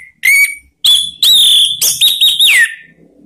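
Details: Orange-headed thrush call used to coax other birds into singing: a short rising whistle, then a sustained, strong whistled phrase with wavering notes that ends in a falling slur.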